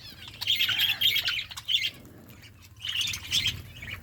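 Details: Budgerigars eating in a flock, two bursts of loud, rapid, high scratchy chatter separated by a short quieter pause, over a low hum.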